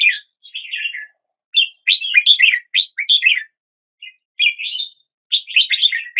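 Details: Early-day red-whiskered bulbul song made of cheerful whistled and warbled phrases, several rapid clusters of liquid notes broken by short silences, with one soft isolated chirp midway; calm, noise-free setting.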